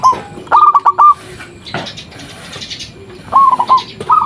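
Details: Zebra dove, local bird calling to draw replies from other zebra doves. Two short bursts of quick staccato cooing notes separated by a quieter gap with scattered rustling noise.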